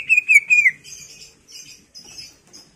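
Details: Greater green leafbird in gacor full isian song, a pancingan lure: three clear whistled notes at steady pitch, then softer buzzy, scratchy phrases with short gaps.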